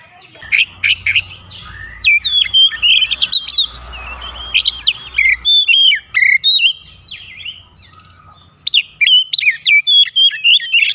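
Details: Lure song of an Oriental magpie-robin, played to draw responses from other birds: long, varied sequence of loud whistles, chirps and rapid trills in bursts, separated by a brief quiet pause.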